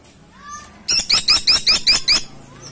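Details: Woodpecker, locally called caladi tikotok, giving six or seven loud, sharp, high notes with a rising hook, spaced about a fifth of a second apart, after a faint soft whistle.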